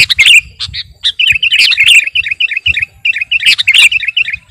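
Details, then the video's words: Sooty-headed bulbul in lively song for luring and master training: a quick series of short chirpy, bouncing notes with occasional sharper squawks, in a fast uneven rhythm. "Burung KUTILANG GARUDA Gacor..!! cocok buat pikat masteran"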